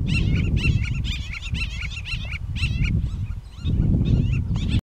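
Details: White-tailed Lapwing in salty marshes at the Armash fish-farming ponds, Ararat Plain, Armenia, 2015, where four pairs were counted; it gives quick runs of sharp, nasal, slightly rising notes, several a second, with short pauses, over low wind rumble.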